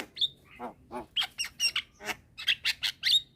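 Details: Javan mynas at midday answering a young bird calling to companions: a sharp high whistle, lower rasping notes, then a steady run of short harsh squawks about every quarter second.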